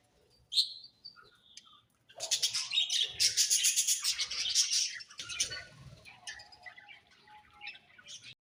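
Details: Budgerigar chatter: a sharp squeak early, then a loud burst of rapid harsh chirps and squawks, which fades into softer twittering and a faint steady tone.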